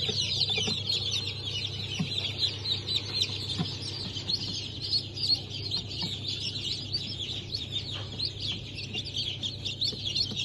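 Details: Newly hatched chicken chicks of Brahma, Sussex, Sultan and İspenç breeds from a hatch on 10.02.2023, many peeping at once in rapid, high, overlapping cheeps, over a steady low machine hum.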